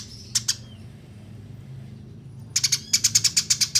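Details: Eurasian tree sparrow recorded as a fighting tutor track, clear and long: two sharp high chirps, a pause, then a fast run of about a dozen bright, evenly spaced chirps.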